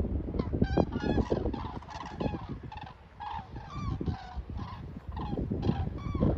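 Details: Migrating flock of common cranes flying over Hillensberg: a steady stream of overlapping, bugling, gently wavering calls from many birds, with low wind noise underneath.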